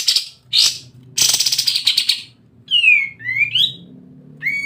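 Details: Sooty-headed bulbul singing 'ngebren' style, played as bait audio to get other birds singing: short harsh chattering bursts and a rapid rattle, followed by three clear whistled notes that sweep upward, over a faint low background hum.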